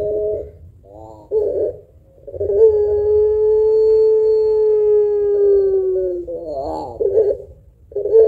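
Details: Puter pelung barbary dove, singing actively with a long voice and thick kuwok, used to stimulate other birds: short coos and a trembling note lead into a long, gently falling coo of nearly four seconds.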